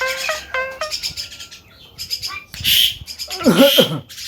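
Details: Talking Javan myna known for coughing, laughing and guitar imitation: short stepped harmonic notes, a few thin whistles, then harsh hissing bursts and twisting wavering tones.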